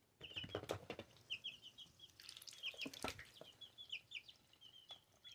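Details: Two-week-old pet ducklings peeping: short high chirps in quick runs of two to four notes, scattered over the clip, with soft knocks and rustling.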